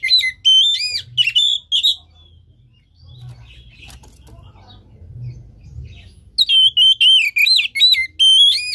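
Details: Stimulation song of an Oriental magpie-robin for a caged bird: loud, clear whistled notes and slurred trills in quick succession, a quiet gap with faint distant chirps, then another energetic run of varied whistles.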